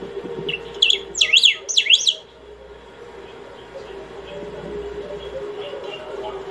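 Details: Singing saffron finch, part of a session of over twenty minutes intended for calling or training: a short energetic run of high zigzag whistles lasting about a second, then a steady low background hum.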